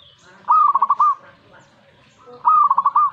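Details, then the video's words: Song of a zebra dove reacting at once to a master recording: a rising opening note, then a rolling series of pulsed coos, repeated twice about two seconds apart. "Langsung reaksi buat masteran perkutut"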